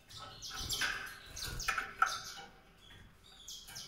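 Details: Song of a White-rumped seedeater, a burst of quick high notes and buzzy trills fading into quieter scattered chirps, with low rumbling thumps underneath.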